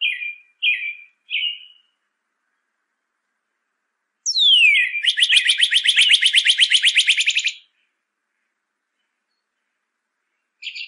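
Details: Northern cardinal singing, meant for training captive birds: three short downslurred whistles, a pause, then a long sweeping slur running into a fast, even trill lasting about three seconds.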